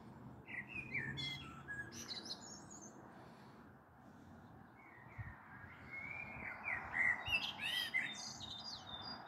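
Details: Common blackbird singing on an April evening, 21 April 2022, as a storm may be approaching, recorded from a balcony: a low fluted warbling phrase, then a quieter pause and a second mellow phrase ending in high squeaky twitters.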